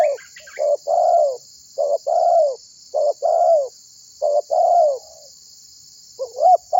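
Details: Spotted dove coos, used for trapping and to get other birds singing: a brisk series of short note plus long falling coo pairs, repeated about every second, with brief chirps at the start and steady background hiss.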